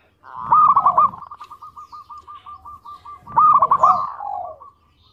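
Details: Local zebra dove in full song, used as a lure to draw out other birds. Two loud rolling coo phrases frame a long, steady train of fast, even, softer notes, like a purring trill between them.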